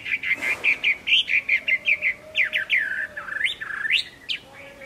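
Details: Chinese hwamei song on a late afternoon, 15 April 2024. A string of short, evenly spaced whistled notes gives way to longer looping, rising slurs, over a faint steady low tone.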